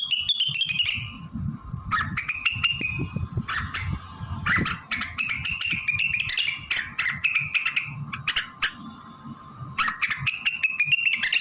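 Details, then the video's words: Blue-winged leafbird singing energetically, with bright trilled and warbling phrases repeated in bursts every one to two seconds. Sharp clicks are scattered throughout over a constant low rumble. "Cucak Wilis Gacor"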